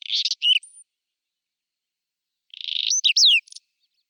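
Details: Whinchat singing in spring, April 2020: two short phrases of scratchy buzzy notes mixed with clear whistled slurs, high-pitched, separated by a pause of nearly two seconds, no other sounds.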